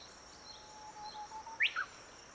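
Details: Japanese bush warbler song, recorded with a Canon EOS 60D and a telephoto lens. A soft, drawn-out low whistle swells, then ends in two sharp, loud, quickly falling notes against faint background hiss.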